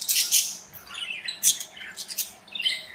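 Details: Budgerigars chirping in a cozy indoor aviary as pet birds flit and interact; bright, scratchy high chirps and short squawky bursts overlap in quick irregular clusters.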